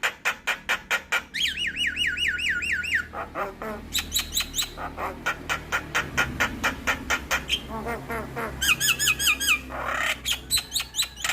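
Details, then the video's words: Javan myna in a tutoring and lure recording meant for all kinds of mynas: rapid series of harsh, noisy repeated notes mixed with bursts of looping whistled phrases, about two per second, over a faint low hum. "PAncingan Dan Masteran Jalak Kebo Buat Semua Jenis Burung Jalak"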